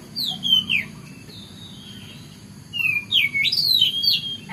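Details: Oriental magpie-robin singing in the morning: two bursts of clear, sliding whistled phrases separated by a quiet pause, with a steady low hum underneath.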